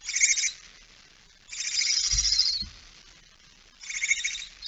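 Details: Barn owl at 06:11 on 17 September 2019, female with mouse; three drawn-out hoarse hissing screeches with quiet gaps, plus a couple of low knocks in the middle.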